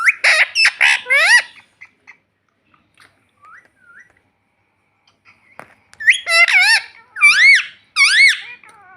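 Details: Pet parrot speaking, known for saying "mummy": a rapid burst of shrill, whistled syllables, a pause with faint sounds, then more loud wavering nasal phrases.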